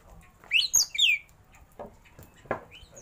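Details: Oriental magpie-robin (kacer), a caged bird, uttering a short burst of three bright, slurred whistles followed by quiet clicks and faint background noise.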